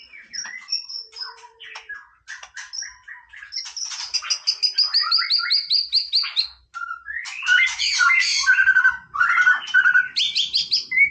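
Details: White-rumped shama in playful song, a varied, continuous stream of short whistles, chirps and rapid note series, building to loud, dense warbled phrases with sliding whistles near the end.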